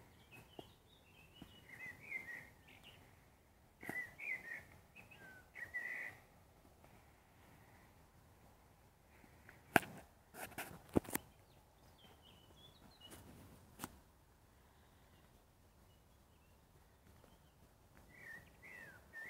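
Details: A common blackbird sings soft, fluty phrases in the distance at sunset, separated by pauses.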